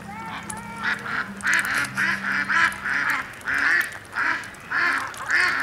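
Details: Ducks feeding in mud give an odd, nasal, honking call, repeated nearly twice a second in short bursts, with a steady low hum underneath.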